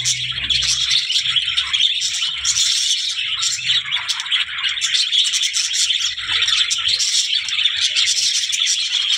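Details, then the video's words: Budgerigars chattering steadily, high twittering and scratchy warbling notes layered together, a faint low hum underneath at the start. "birds voice"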